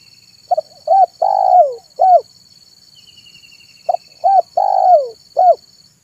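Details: Zebra dove calling in the afternoon, used as a lure for wild birds: two phrases of short rising coos ending in a long rolling falling coo, with steady high insect whine behind.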